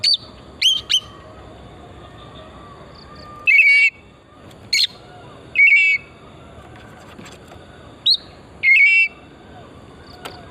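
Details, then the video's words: Oriental magpie-robin, or kacer, song from a lure recording to stimulate singing: isolated sharp whistles and short burry phrases spaced a second or more apart over steady background hiss. "Pancingan burung kacer pesona hutan murni gacor"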